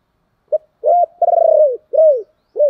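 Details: Lure recording of a spotted dove to make wild birds coo back: a crisp short note, a held coo, a long buzzy trilled note and a downslurred coo, then a new phrase begins.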